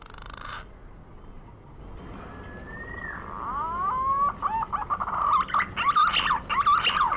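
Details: Green pigeon (punai) starting with a long drawn-out whistle, then a few upward-curving whistled notes, building into a loud, fast sequence of bubbling, looped warbles.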